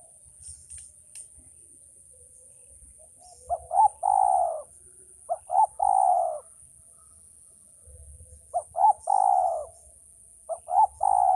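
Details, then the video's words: Male spotted dove calling four times, each phrase a pair of short clipped notes followed by a drawn-out hoarse coo, spaced about two to three seconds, faint hum behind. "suara burung tekukur ajaran"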